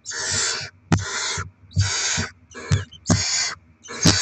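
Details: Barn owls at feeding time with rodent deliveries for the young, 07/02/2024: five long, coarse hissing screeches, each about half a second, about one per second, punctuated by sharp clicks.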